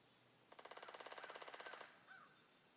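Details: Woodpecker pecking in the woods: a rapid, even drum roll of about twenty evenly spaced knocks lasting just over a second, followed by a brief soft call; quiet background.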